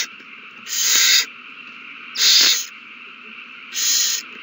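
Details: Owls at a nest on March 21, 2020, in a frenzy after one finds a mouse and passes it to another. Three harsh, broadband hissing screeches, each about half a second long, spaced roughly 1.5 seconds apart, over a steady background hum.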